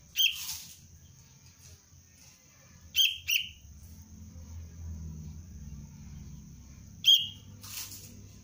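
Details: Young kutilang, the sooty-headed bulbul, being trained as a cengkram lure bird, utters a few piercing high chirps, some doubled, spaced several seconds apart over low rumbling background noise and a steady whine.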